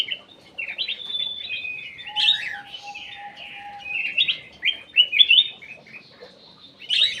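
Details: Bulbul song used as a lure, local name cucak emas: loud, tumbling whistled phrases with quick upslurs and downslurs, punctuated by sharp accented notes, plus a steady low tone lasting about two seconds.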